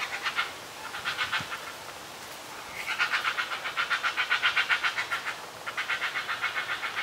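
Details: Two hungry heron chicks in a nest about 10 meters up a tree, being fed by a parent: harsh, rapid clattering chatter in bursts of several seconds, pulses coming about four per second, with short pauses between bouts.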